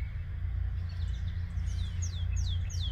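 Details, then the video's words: Singing yellow-breasted chat in Huron, Ohio's Osborn Metropark, 10:12 AM on 23 May 2023: a run of falling, downslurred whistled notes, growing stronger, heard over heavy low-pitched background rumble. "Yellow Breasted Chat singing."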